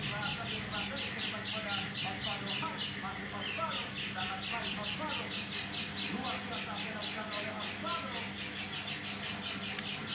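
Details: Oriental white-eye calling unusually, not as it normally sounds: dense, continuous chatter of harsh high notes for ten seconds, fast and rhythmic, with quieter chirping lower in the background.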